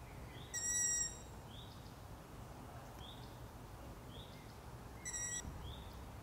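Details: Long-eared owl owlets at night giving short, high, upslurred squeaks about once a second, with two louder, steady, harmonic-rich tones breaking in.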